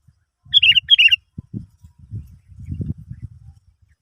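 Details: Sooty-headed bulbul song for luring other birds to sing: two lively warbled phrases of three or four bubbling notes, followed by a stretch of low rumbling, knocking background noise.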